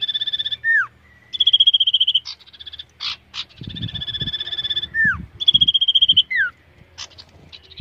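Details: Common iora in contest training: repeated high pulsed trills alternating with quick downward-sliding whistles and short harsh notes, with some low thumping noise in the background.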